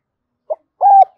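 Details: Spotted dove coos, played to stir up a decoy bird into cooing: a short low hoot, then a longer steady hooting note that drops at the end, with another note starting as it cuts off.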